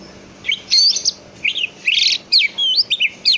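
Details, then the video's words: Song of a greater green leafbird, used to draw another leafbird into answering: rich, varied whistled phrases in quick succession, mixing upslurs, downslurs and short warbles with barely a pause between them. "Pancing cucak ijo anda dengan cucak ijo ini. D jamin ikut nyaut dan bunyi."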